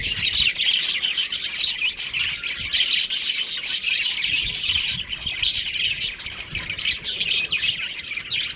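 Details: Continuous chirping from a budgerigar breeding pair, a shrill buzzy mix of twitters, squeaks and harsh notes layered densely throughout.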